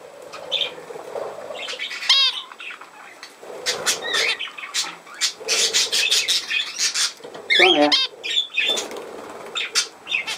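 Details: Budgerigar chatter, scratchy and clicking, with a few clear harmonic whistled chirps that slide downward, one early and others near the end.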